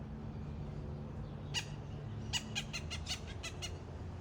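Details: Blue jay in a backyard chattering at the person recording, giving a short run of harsh, rasping notes in quick, uneven succession over steady low background hum.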